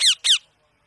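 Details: Indian parrot kept as a pet, making what is called its natural talking sound: two short, harsh screeches in quick succession, each about a sixth of a second long, followed by silence.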